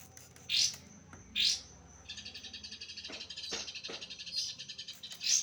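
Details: Oriental magpie-robin in trotol song mastering: two loud, sweeping, buzzy high notes, then a busy stretch of rapid chattering with a steady high tone, ending in more piercing sweeping bursts.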